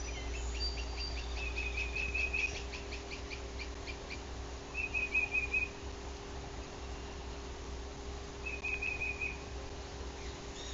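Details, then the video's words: Yellow-shafted northern flicker, a male, at a bald eagle nest in Bluff City, Tennessee, one morning in June 2023, heard from the nest cam. It opens with a quick rattling string of sharp notes, then a brief trill recurs twice amid low background hum. "BC Flicker"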